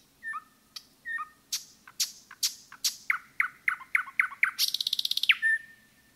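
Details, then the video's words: Nightingale song in the forest: two short whistled notes, sharp clicking strokes, a steady run of repeated chuck notes, then a rapid buzzy trill ending on a whistle. "пение СОЛОВЬЯ в лесу"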